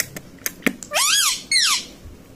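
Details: Indoor pet ringneck parrot mimicking 'mummy papa': two strong, arching vocal notes with a raspy tone, the first longer, the second sliding downward, after some light tapping sounds.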